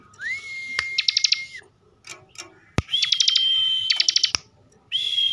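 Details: Bar-winged prinia kept in Slawi, Tegal, Central Java, singing in bren style: an upswept whistle holding steady under fast ticking pulses, then a higher sustained tone with more click bursts, sharp snaps between phrases.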